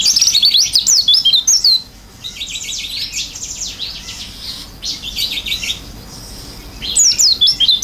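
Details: Chatty oriental white-eye delivering isian fill-in song, beak open. A high jumble of quick whistled twists opens, then buzzy rasping phrases, a quieter stretch, and a final bright run of rapid notes.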